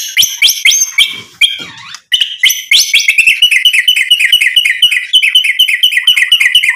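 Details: Energetic white-rumped shama song meant to provoke rivals to reply: sharp whistled notes and chattering phrases give way to a long, rapid series of ringing repeated notes.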